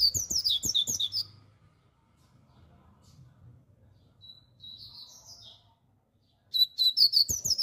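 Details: A brown seedeater sings strongly in rapid bursts of high twittering, slurred notes. A softer run of thin whistles comes during a quieter stretch with faint low background hum, then the loud rapid phrase returns.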